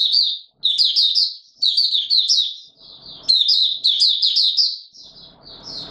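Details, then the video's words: High, rapid warbling from a white-eye (Mata Puteh Raja) in warm humid weather, 20 March 2022, with phrases running almost continuously and faint low rustling noise toward the end. "Mata Puteh Raja Video 1 buka sing warm humid weather"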